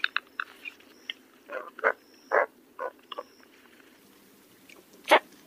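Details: Roseate spoonbill giving a loose series of short, harsh, guttural grunts, some quick and clipped, others longer and rougher, ending with one loud rasping note; faint thin whistles sound in the background.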